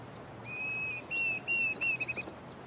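Diederik cuckoo giving a run of clear, high whistled notes, three sustained and a last one broken into quick syllables, over a soft background hiss.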